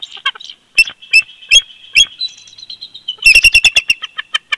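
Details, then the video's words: At their old nest snag in winter, Big Bear Lake, California, on 22 February 2020, two bald eagles call together: sharp high chips and a piping whistle, then a fast, loud run of staccato chattering notes that trail off. "BB🦅Duet In Winter"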